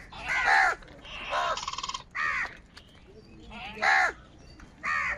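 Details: Several crows in the morning, fighting for food: harsh, hoarse caws come in five loud bursts over five seconds, with a brief rattling, buzzy call between the second and third.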